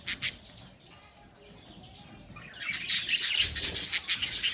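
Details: Budgerigars calling together in a colony: a quiet start with two brief chirps, then from midway a dense, rising wash of high chattering and warbling from many birds.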